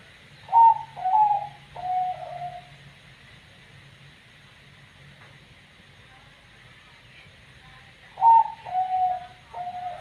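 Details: Zebra dove of the banyu mili katuranggan type, giving an unusual call: two cooing phrases about seven seconds apart. Each is a short run of quick descending notes that ends in a longer, drawn-out coo, heard over faint background hiss.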